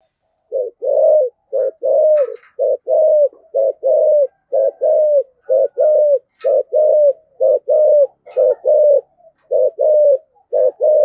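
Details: Spotted dove with the thổ voice, pushing 'thúc gù' cooing to bring wild doves to answer: a long unbroken series of low hollow coos, short and long notes alternating briskly, faint clicks now and then.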